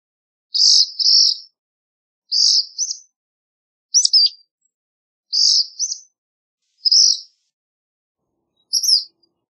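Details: Black phoebe song: repeated high doubled phrases, a burred note then a quick rising flick, about every one and a half seconds, against silence.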